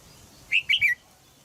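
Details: Female red-whiskered bulbul calling in a cage in Thailand to encourage a young male to sing. One rapid three-note phrase of bright, slightly falling chirps rises briefly above a quiet background.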